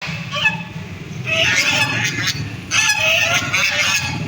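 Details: Ducks quacking in harsh, nasal bursts, with a quieter call near the start and then two louder, longer stretches of overlapping quacks. A steady low rumble runs underneath.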